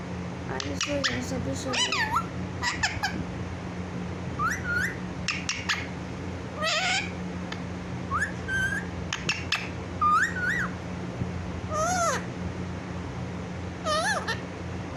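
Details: Talking pet parrot calling "mummy mummy" in a clear voice; dense sequence of wavy whistles, squeaky rising notes and sharp clicks, with occasional harsh bursts and a steady low indoor hum.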